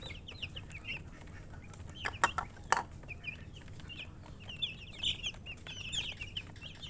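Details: Baby chicks give scattered high, sliding peeps, sparser at first and then thickening into a busier chorus, broken by a few sharp clicks and knocks.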